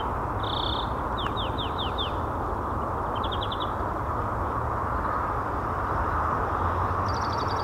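European greenfinch giving short, fast trills: a run of four quick downslurred notes, then brief rattling bursts, faint against a steady roar of wind or distant traffic.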